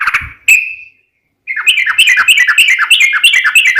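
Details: Sooty-headed bulbul, a lively singing bird used as a lure to prompt other bulbuls to answer, giving a brief note, a pause, then a fast run of bubbly, chattering phrases repeated about three times a second.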